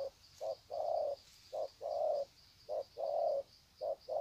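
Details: Spotted dove greeting another, Sê San, Vietnam, 21/2/2020: rhythmic low coos, a brief note followed by a long hollow one, about once per second, over a faint continuous high insect hum.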